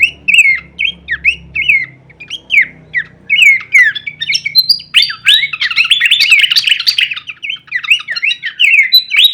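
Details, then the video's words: Horsfield's babbler in full kleperan variation for songbird masteran: separated slurred whistles at first, building into a long dense rattle of overlapping chattering notes, then easing back to spaced whistled phrases. "masteran andalan khas burung pelanduk semak suara full variasi kleperan"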